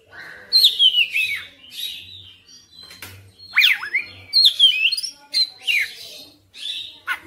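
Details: Oriental magpie-robin in persistent, lively song made of separate bursts of sweeping whistles and twisting slurs, each burst followed by a short pause, with faint low thumps in the background.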